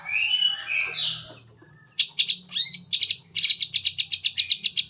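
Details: Long-tailed shrike in full-material song used as a lure to make other shrikes sing; scratchy warbled phrases fall away, then a run of sharp, bright chip notes repeated quickly and growing steadier toward the end.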